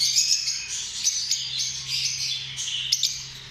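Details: Busy lovebird chattering, piercing squeaks and rasping notes layered over one another, with a few sharper clicks standing out.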